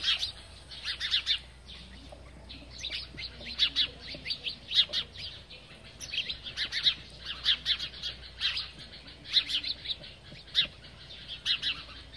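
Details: Several house sparrows chirp busily while feeding, with bright, overlapping cheeps coming in quick bursts every second or so.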